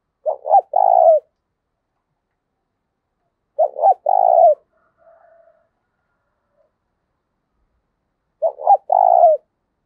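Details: Spotted dove coos for training and luring doves: three phrases roughly every four seconds, each two quick coos and a longer rolling note, with a faint soft coo between.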